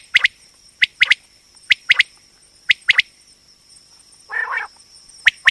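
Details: Female common quail (batair) call used as a hunting sound: short, sharp clicking notes in quick pairs and triplets, repeated roughly every second, over a steady high whine. One brief rough burst near the end.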